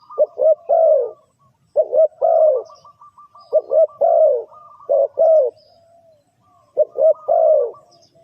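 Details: Spotted dove cooing, used to lure birds into a trap. Paired quick coos lead into a drawn-out, slightly falling coo, the phrase coming back every one to two seconds over a faint steady whistle.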